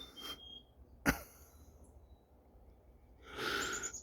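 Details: Breathy, wheezing human sounds: a sharp click-like burst near the middle and a hissing exhalation at the end, with no animal calls.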